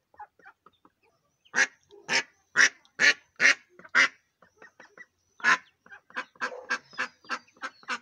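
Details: A female Mallard with day-old ducklings gives loud, harsh quacks in runs of about two per second, with softer, quieter notes filling the gaps between bursts.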